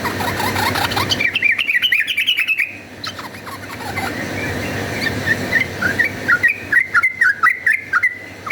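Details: Yellow-vented bulbul singing in rapid fighting mode for use as a lure: a dense rattling burst of jumbled notes, a quieter gap with scattered chirps, then a renewed series of bright bouncing notes amid steady background noise.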